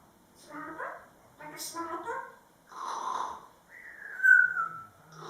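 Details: A pet male grey parrot sings while dancing, and is also a talking bird: bursts of speech-like chattering syllables, then a loud clear whistle that rises and slides downward near the end, in a quiet room.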